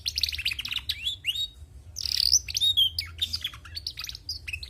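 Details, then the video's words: Female canary singing vigorously: dense bursts of high chirps and quick rising and falling whistled notes, with brief trills and clear slurred whistles, delivered almost without pause over a low background hum. "Bunyi Burung Kenari Betina gacor"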